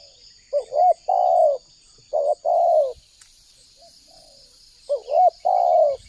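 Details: Spotted dove calling, used as a lure to trap wild doves and prompt caged ones to sing: three mellow low phrases, each a short upslurred note followed by a long steady coo, against a constant high insect drone.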